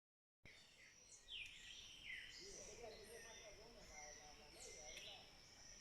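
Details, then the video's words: Birds of the Sierra Nevada singing: a few thin whistled notes sliding down, then soft warbling phrases, over a constant high insect-like drone and faint background hiss. "El sonido de las aves de la Sierra Nevada"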